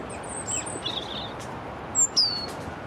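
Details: A European robin singing beside the Long Water gives thin, high, wavering phrases with a quick downward slur near the end, over a steady background hiss.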